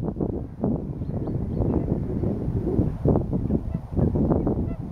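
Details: A flock of Bewick's swans feeding on maize in frost at Slimbridge, cold enough to see their breath, keeps up a dense, overlapping chorus of soft, honking yelps, many birds calling at once without pause.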